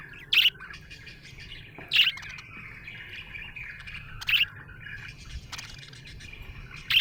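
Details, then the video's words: Cheerful budgerigar chatter: a soft, continuous warble punctuated by four loud, sharp chirps spaced about two seconds apart, with light low-frequency background noise. "Happy budgie chirping sound"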